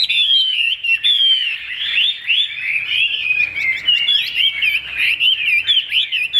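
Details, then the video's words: A caged Chinese hwamei with a fig-leaf-shaped tail, described as good-looking and a fine singer, pours out loud, rich, continuous whistled song with rapid slurred rising and falling phrases and sharp high flourishes. "Họa mi đuôi lá vả bóng bộ đẹp hót hay"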